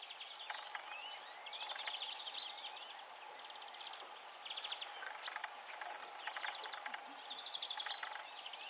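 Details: Bramblings at Otmoor RSPB, Oxfordshire, on 20 March 2016 give a busy flock chatter of short, high chirps and brief slurred notes, several per second, over a steady low hum.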